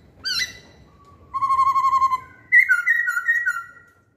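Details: Masked laughingthrush used as a lure: a rising whistle, then a steady trilled whistle and a quick run of wavering slurred notes, loud and clear against a quiet background.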